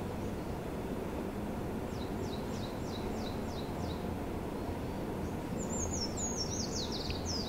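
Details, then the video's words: Eurasian treecreeper song in a research forest at Tomakomai, Hokkaido, at first mistaken for a Japanese white-eye: thin, very high downslurred notes in a quick series, then a higher descending flourish, over steady low rushing noise. "キバシリの鳴き声 SONG of Treecreeper"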